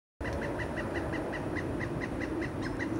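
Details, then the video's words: A Pileated Woodpecker gives a steady run of loud, evenly spaced wuk notes, about six a second, over a low rumble of wind or distant traffic. "Pileated woodpecker call"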